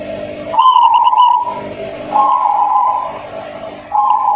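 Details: A Zebra dove (perkutut) of the rare Banjar Petung type, singing (manggung) in three soft, mellow cooing phrases, the first a quick run of staccato notes, with a steady low hum behind.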